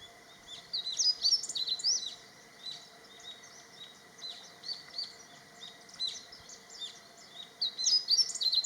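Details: Male meadow bunting singing to claim territory and attract females: quick bursts of high, sharp chirps and twittering notes, loudest near the start and end, with a steady low background hum.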